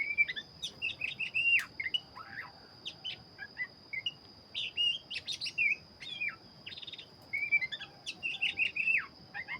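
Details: Black-chested oriental magpie-robin in lively song, a steady stream of short whistled notes, slurred upslurs and scratchy chirps, fairly distant, with a constant thin high tone and soft background hiss throughout.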